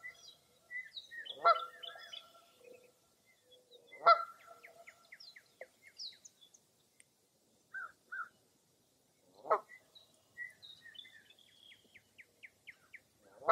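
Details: Scattered honking calls, four in total, with series of quick high chirps and short trills from smaller birds in the gaps, on a quiet foggy early April morning at Mirror Lake State Park, Baraboo, Wisconsin.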